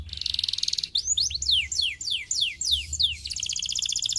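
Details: Canary song played to stimulate an idle, non-singing canary: a buzzy high trill, then a run of quick, clear notes sweeping downward, each repeated several times, ending in another fast, rattling high trill.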